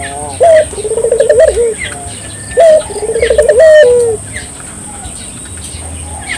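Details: Two song phrases from a Barbary dove, played to stimulate local doves to sing. Each is a short loud note followed by a quick, rolling, wavering coo that drops at the end, with faint twittering of other birds behind.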